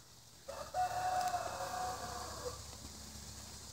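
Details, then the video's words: Rooster crowing: a single harsh, drawn-out crow lasting about two seconds, rising then holding a strained tone before trailing off, with faint rural background hiss. "ROOSTERS MAKIN NOISE"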